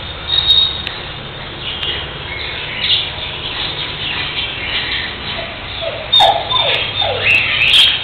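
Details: Cockatiel (Nymphicus hollandicus) during taming gives shrill chirps and a run of short, falling whistled notes amid busy chatter.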